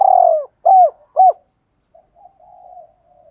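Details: Spotted dove coo in Thổ Pha đồng style, played to lure wild doves: a long falling coo, then two short arched notes, trailing into faint low murmuring.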